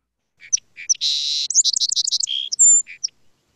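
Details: A Song Sparrow, heard very commonly in spring in southern Quebec, sings a varied phrase: a few sharp introductory notes, a buzzy trill, a run of quick chips and a high clear whistle, then a final note.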